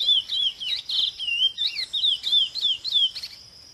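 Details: Chestnut-bellied seed finch singing a sweet, whistled warble of looping, rising and falling notes with quick slurred phrases, delivered continuously for over three seconds against a quiet background.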